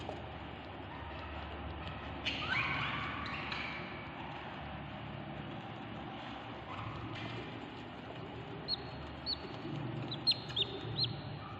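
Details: Baby budgerigars (Melopsittacus undulatus) inside a nest box around day 25 giving faint, thin chirps and short high peeps over a steady low hiss.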